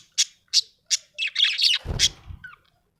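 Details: A happy budgerigar gives three quick squawky chirps about a third of a second apart, then a run of raspy chattering warbles, with a low rumbling thud near the end.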